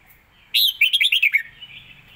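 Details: Caged Red-whiskered bulbul singing a quick-fire contest phrase: an opening upward whistle, then a tight burst of about seven warbled, liquid notes that tumble downward, on a calm background.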